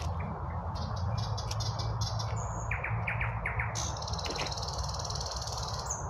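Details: Birds singing at midday in spring: high whistled notes and a burst of quick rising chirps, with a constant low roar of distant cars from a highway underneath.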